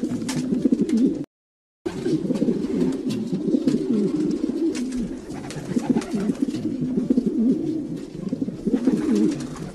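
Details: Dense chorus of low, rolling coos from a group of domestic pigeons, throaty and wavering, broken by a brief silent gap near the start, with scattered clicks and flutters.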